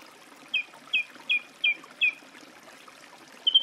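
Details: Song thrush singing a single short whistled note repeated five times at even intervals of about a third of a second, followed by a new phrase starting at the end.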